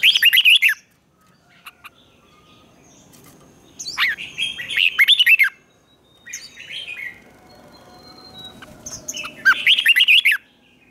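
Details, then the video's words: Red-whiskered bulbul in competitive singing for training: three loud bursts of rapid warbled notes around mid-high pitch, each under a second, separated by quiet gaps with faint chirps. "Chào Mào Hót Đấu"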